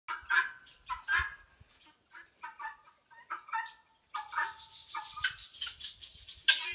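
Guineafowl giving harsh, grating calls in uneven bursts, some overlapping as several birds join in.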